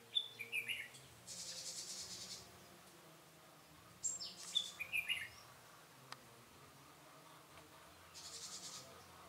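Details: Red-whiskered bulbul used as a decoy during bird trapping, recorded 21 August 2018: short clear whistled notes near the start and again around the middle, with loud hissing insect-like bursts and faint background hum.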